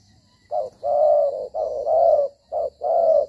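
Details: Decoy spotted dove cooing while moving and fighting during dove trapping, with a coo style called thổ chuẩn ba hậu. Recorded 25 September 2023 at dusk in rainy season. Three low, mellow phrases, each a short note then a longer sustained coo, about once per second.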